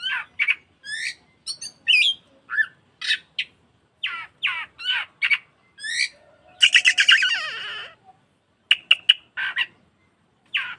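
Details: Caged-bird lure of an Oriental magpie-robin, meant to spur singing and tail-fanning. A steady run of short swept whistles and chips, about two per second, interrupted by a second-long harsh buzzy rasp, then sparse sharp notes.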